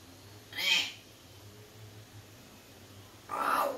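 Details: A pet sun conure gives two loud, harsh screeches separated by a quiet pause.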